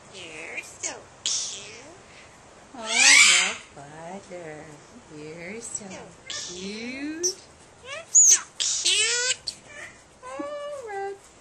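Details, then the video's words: Hand-raised talking myna, a male named Rhett Butler who began talking shortly after his eyes opened, gives squeaky speech-like phrases mixed with sliding whistles and harsh rasps in uneven bursts, imitating his trainer's voice. "Talking Myna Bird"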